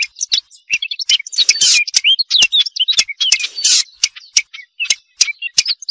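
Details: European robin singing a varied high song of short whistled notes, buzzy bursts and sliding phrases, broken by brief pauses and sharp clicks.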